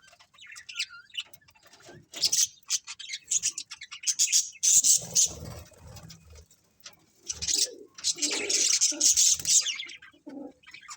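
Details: Many budgies chirping in a colony: bursts of shrill chatter and buzzy notes separated by quieter gaps, with soft low rustling sounds.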